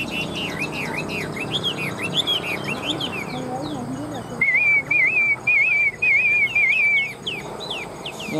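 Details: A newly arrived, strong caged Chinese hwamei with a leaf-shaped tail, nodding as it sings loud, varied whistled phrases that rise and fall, then a fast rolling warble, while a man talks quietly underneath.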